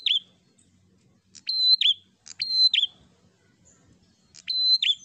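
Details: Prinia song used to provoke a rival: loud high chattering phrases, a flat whistled tone followed by a buzzy descending flick, given three times with brief pauses and a faint low hum behind.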